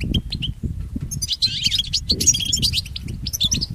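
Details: European goldfinch, recorded for training pet goldfinches. It opens with a few separate high chirps, then breaks into a fast, jangling twitter of overlapping tinkling notes. Low hum in the background.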